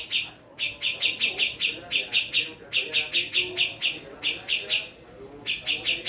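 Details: Female Javan black-throated laughingthrush delivering clustered bursts of rapid, sharp chip notes, four to six per burst, with short pauses between groups.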